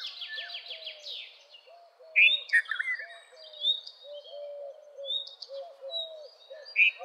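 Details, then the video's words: Red-vented bulbul giving a few loud, clear, bubbly phrases. A quick descending trill from another bird opens the recording, and soft, low, repeated notes run throughout beneath the bulbul. "Red-vented Bulbul Song ! Red-vented Bulbul Call ! Red-vented Bulbul Sound! Red-vented Bulbul Vocals"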